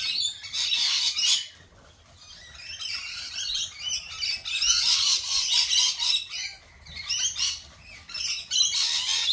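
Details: Lorikeets screeching in dense, shrill bursts of high chattering squawks, loud for about a second at a time with brief quieter gaps, overlapping calls throughout the nine seconds.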